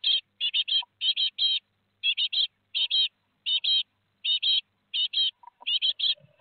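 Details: Great tit fledglings, four, leaving their nest at Théding on 17 July 2020, heard through a nest webcam: loud raspy calls in rapid pairs and triplets, repeated steadily throughout, ending with softer shuffling.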